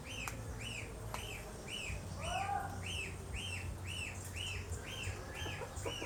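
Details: Galansiyang, the Asian glossy starling of the Philippines, in the wild: evenly spaced arched whistles repeated about twice a second, plus one lower drawn-out note and scattered clicks.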